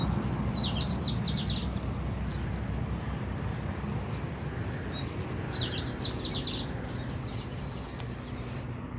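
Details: Double-collared Seedeater, known in Brazil as papa-capim, whose breeding season usually runs from October to February; two bursts of rapid, high, chirpy descending notes about four seconds apart over a steady low rumble.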